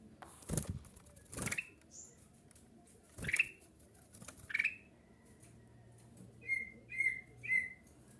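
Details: Lure song of a black-crested bulbul meant to draw replies from other bulbuls: short upward-swept whistles spaced about a second apart after loud thumps, closing with three quick downslurred whistled notes.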